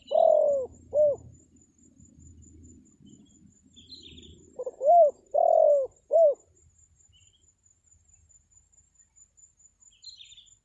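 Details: Decoy spotted dove calling to lure wild birds: two low cooing phrases, each a short rising-falling note followed by a longer falling coo, separated by a pause of about four seconds, with faint high chirps of other birds.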